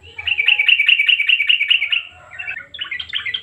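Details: Yellow-vented bulbul, a lively singing bird used as a lure to make silent birds sing: a fast run of buzzy chattering notes for two seconds, then a short pause and brighter jumbled chirps.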